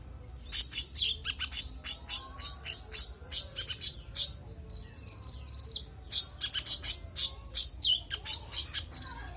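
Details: Konin (Van Hasselt's sunbird) in full varied song with a clear voice: bursts of very high, sharp ticking notes in quick runs, broken twice by thin high buzzy trills, used as training song for other songbirds.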